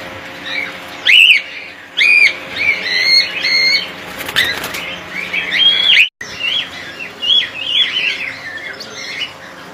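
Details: Cockatiels kept as a colony: loud, arched, whistled calls in clusters, strong wing flapping bursts, and a brief drop to silence partway through.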